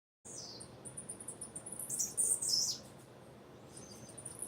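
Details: Female blue-black grassquit calling: a run of high, thin chirps leads into two louder, sharp descending notes close together near the middle, then quieter faint notes, over a low steady hiss.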